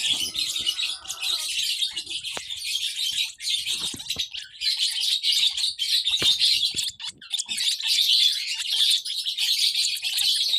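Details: Young lovebirds give continuous high-pitched chirps and twitters that overlap into a busy chatter, broken by brief dips and a few sharp clicks.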